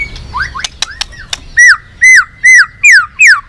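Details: White-rumped shama trained long song aimed at rousing other shamas: a few clicks and rising notes, then five loud arched whistles, each rising then falling, repeated about every half second.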